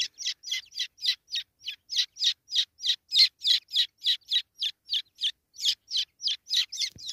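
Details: Jungle francolin chick, one of several being caught; rapid, steady series of high, piercing cheeping notes, about three per second, evenly spaced and unbroken throughout, with nothing else audible.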